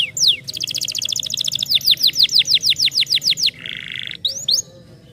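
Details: Canaries' stimulating song that makes silent canaries sing: a rapid pulsing trill, then a run of about a dozen loud downward-sweeping whistles, a short buzzy roll and two rising notes.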